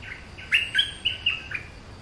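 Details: Bulbul singing a quick burst of about five bright, slurred chirping notes within two seconds, several sweeping sharply up and down, over a quiet background.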